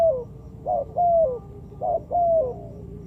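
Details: A spotted dove, recorded as a trapping lure, repeats its phrase twice: a short coo, then a longer level croo that drops at the end, in a clean recording with little background.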